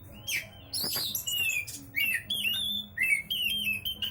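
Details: Oriental magpie-robin in continuous song: varied whistled phrases with rising and falling slurs and crisp high chips, delivered in quick bursts about a second apart.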